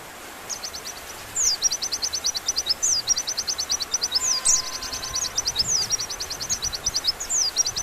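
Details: Velvet-fronted nuthatch song: bursts of rapid, high, sharp notes run into dry trills, each burst opening with a quick downslurred note, repeated over and over against a steady hiss of background noise.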